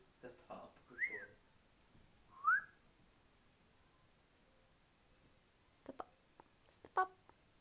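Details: A young male pet eclectus parrot, indoors just after a bath, makes baby noises: a short burst of throaty chatter and two bright, rising whistles, then a few soft clicks and taps in a quiet room.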